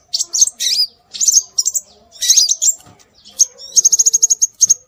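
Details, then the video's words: Calls of scarlet minivet (sepah raja) played as a bird lure: several twisting high whistled phrases, then a crisp evenly spaced trill of about eight thin pips. "Suara Burung Sepah Raja"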